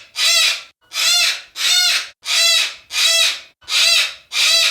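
A yellow-crested cockatoo gives harsh, raspy screeches, each about half a second long, repeated steadily roughly every two-thirds of a second.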